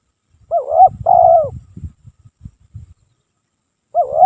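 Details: Tekukur, or spotted dove, cooing without pause as a lure: a quick rising coo followed by a longer wavering, falling note, then low knocking sounds, and the phrase starting again at the end.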